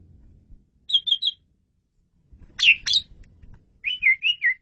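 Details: Asian pied starling in full gacor song for a masteran: a trio of quick whistled notes, a harsh double chirp, then four wavering whistles in a row, with a faint low rumble between phrases.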